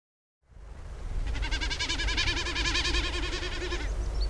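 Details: Common Snipe drumming at dusk in display flight over its territory: a hollow, bleating tremolo throbbing about three to four times a second for nearly three seconds, made by outstretched outer tail feathers. Low rumbling noise underneath.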